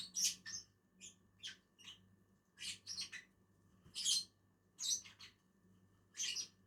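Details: Pair of Agapornis lovebirds feeding on a tree, giving repeated sharp shrill shrieks and squeaky chirps, loosely spaced roughly every half second to second.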